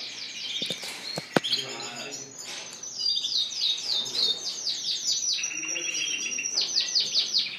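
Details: Spanish Timbrado and Gloster canaries singing in shop cages, April 9, 2016: long runs of quick repeated downslurred notes forming rolling trills, a couple of sharp knocks early on.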